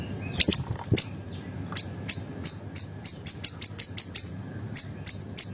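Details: Small caged siri-siri in full voice, meant as master for training songbirds. Steady run of sharp, high-pitched ticking notes, about three per second after a brief start, clear over a quiet low hum.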